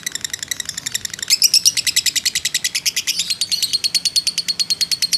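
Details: Fighter lovebird giving a long 'ngekek' trill, used as a training and baiting track: fast, evenly pulsed chattering notes at about three per second, softer for a second, then louder and denser, high and shrill throughout.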